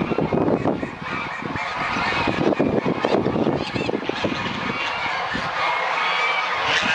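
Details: Geese waking up on a fine, sunny winter morning at a goose refuge in Dalen, Netherlands: dense, overlapping honks from a large flock, continuous and loud with no pauses.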